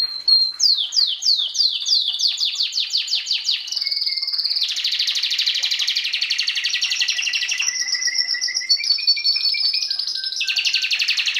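A canary sings a fast, bright run of descending chirps, then long rolling trills and whistled notes, all high-pitched and continuous.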